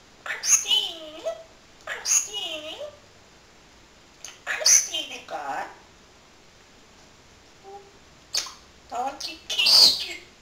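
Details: Talking parrot, a male, mimicking human speech and repeating a name he learned from hearing his owner, in several drawn-out wavering word phrases separated by pauses, ending with a shrill squawk-like utterance.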